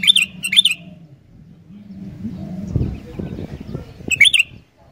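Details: Sooty-headed bulbul giving quick clusters of sharp, rich chirps, two bursts close together, then a pause filled with low rumbling background noise before a third burst.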